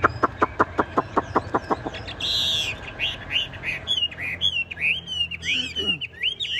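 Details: Caged, tame Chinese hwamei singing steadily. About ten sharp clicking notes come in an even series, followed by a burst of rustling noise, then bright slurred whistles rising and falling in quick succession.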